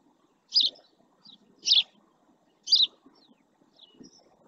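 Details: Close male house sparrow at El Rocío marsh in Doñana National Park, Spain, giving three sharp chirps about one second apart, followed by a quieter pause with faint distant sounds.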